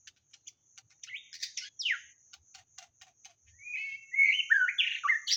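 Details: White-rumped shama song used as a lure: a varied run of sharp high ticks and short notes, then rich whistled phrases sliding and stepping between pitches, fairly loud and clear against a quiet background.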